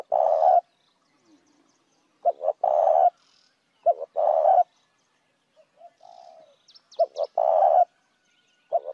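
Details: Spotted dove cooing as a lure for other doves. Four low phrases, each short notes leading into a sustained purring coo, with faint soft coos and brief higher chirps in the gaps.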